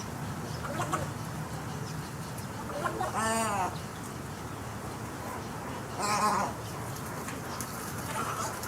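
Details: Snowy egret calling twice, about three seconds apart, each a harsh, buzzy, slightly rising-falling squawk, against continuous background hiss.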